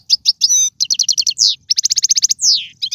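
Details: Caged Algerian goldfinch in trained song including tiwawati and galoubi motifs: quick bright trills, a buzzy upsweep, a long rapid series of repeated notes and a loud descending slurred whistle.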